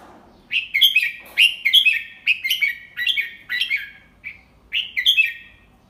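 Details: Red-whiskered bulbul teacher bird singing a double-3 song style slowly and clearly for young birds to copy: bright, warbled whistled phrases in quick bursts, about seven phrases with short pauses, loud and clean over a quiet background.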